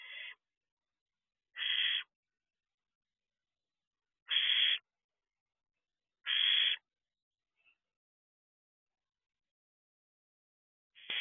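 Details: Pre-dawn barn owl owlets at the entrance of an owl box at 4:24 am: loud, rasping hiss-screeches, each lasting about half a second, about five in total, separated by roughly two-second gaps of silence.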